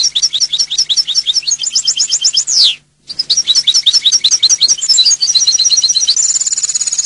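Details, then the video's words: European goldfinch song in two phrases split by a short silence: quick repeated tinkling notes, a descending slurred note, then a bright sustained rattling trill at the close. "Jilguero canto del cardellino"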